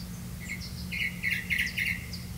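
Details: Grey-capped greenfinch feeding its young on crickets; a cluster of four or five buzzy, rasping chirps in quick succession, over a low electrical-sounding hum.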